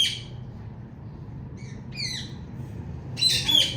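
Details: Loud female Indian ringneck parakeet chirping: a few short, shrill, ringing notes in small bursts separated by pauses, against a low steady background rumble.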